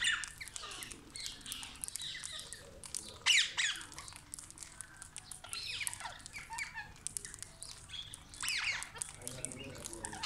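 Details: Wild parrots arriving at a village tree in the morning, seen close up; harsh, scratchy squawks and screeches come in bursts, overlapping one another, with a quiet background.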